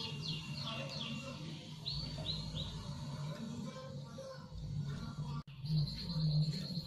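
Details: A young male canary, just starting to come into full, steady song, sings quick high descending chirps, then a few arched whistles and a long buzzy trill, over a steady low hum.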